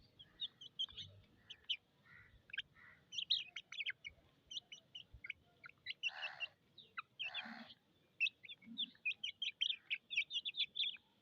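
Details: A crowd of chicken chicks calling from thirst, high sharp peeps packed closely together, with a couple of louder harsher squawks midway and low background noise.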